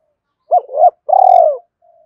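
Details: Spotted dove calling to stimulate and lure other doves. Two quick mellow coos lead into a long, vibrating, burred note that slowly drops in pitch, then silence.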